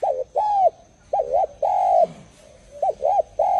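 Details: Dove, named as spotted dove, giving mellow coos: short arched double notes alternating with longer drawn-out coos, each rising then falling, separated by brief pauses; faint steady high whine in background.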